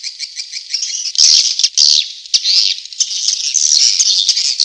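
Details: Swiftlet lure call in the Tombak Raja style: dense, rattling high chirring, steadily pulsed at first and then louder and more continuous, like a shrill buzzy trill without pauses.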